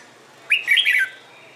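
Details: Red-whiskered bulbul singing in the morning, a competition-style song used to train other bulbuls to sing: one short, bright warbled phrase of quick rising and falling whistled notes, about half a second long.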